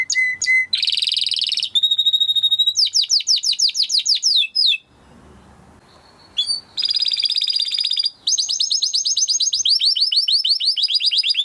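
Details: Timbrado canary singing a training song: rapid repeated trills and rolling tours shifting between phrases, with a short quiet break mid-song before the trilling resumes.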